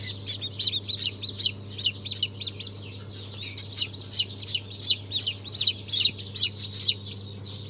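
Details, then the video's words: Brahma, Fayoumi, Australorp and Legbar chicks, newly hatched on 3 March 2023, give loud, high, rapid peeps in repeated bursts, many chicks together, with a steady low hum behind. "Yeni Civciv Çıkımı 03.03.2023 - Brahma,Fizan Çeşitleri,Australop,Legbar"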